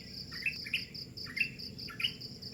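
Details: Bird calling in the early morning: about five sharp chirps that sweep up then level off, loosely spaced, over a steady high pulsing trill of crickets.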